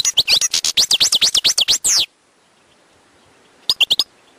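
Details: Wild European goldfinch singing a fast series of rising, tinkling notes for about two seconds, then a pause and a short, similar four-note twitter.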